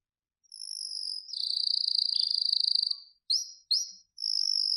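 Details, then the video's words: A canary singing a high, clean song: a sustained trill, then a fast buzzing rolled trill lasting about two seconds, two sharp upslurred notes, and a final high trill, against silence. "Wonderfull Canary Singing"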